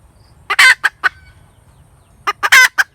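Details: Hen cackling: two bursts of short harsh clucks, each rising to a loud, raspy, drawn-out squawk, separated by about a second of quiet with faint background hum.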